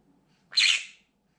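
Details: A male pet green-cheeked conure at a window gives one loud, harsh, raspy scream of about half a second, high-pitched and fading; such screams are triggered by sounds, movements or birds outside.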